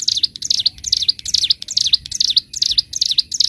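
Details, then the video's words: Ciblek gunung, the bar-winged prinia, in a long clear master recording for training cage birds: fast bright chirps repeated roughly three per second, each note dipping then rising sharply, slightly uneven spacing, no other sounds. "Masteran Burung CIBLEK GUNUNG (CIGUN) Gacor N3mbak, Ngebren - Suara Jernih Durasi Panjang"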